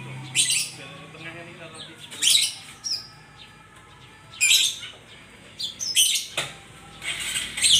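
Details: White-rumped shama singing, in a recording made as therapy for kept birds: loud, bright bursts of high chirps and twittering phrases come every second or so, with short quiet gaps between them.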